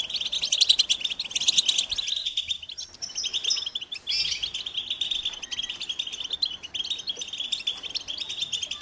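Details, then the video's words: American goldfinch song, lively high twittering with quick chip notes and a brief pause near the middle before the chattering chorus resumes. "The Joyful Songs of Goldfinches"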